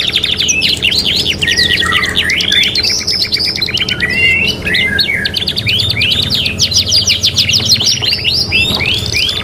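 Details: Domestic canary in a '3 in 1' training mix used to tutor birds: rapid high buzzy trills and sweeping whistled notes tumble continuously, with phrases seeming to overlap, over steady low background hum.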